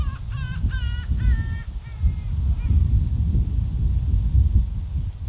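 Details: Gull calling along a seaside walking path at Oepo port on Ganghwa Island, South Korea: a few quick, nasal, rising-falling cries in the first two seconds, then strong wind roaring throughout.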